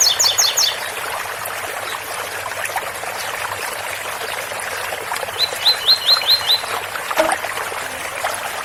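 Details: Double-collared seedeater, special Ouro Fino tui-tui song with water spout: a brief burst of high doubled notes, a pause filled with trickling water, then six quick rising whistled 'tui' notes.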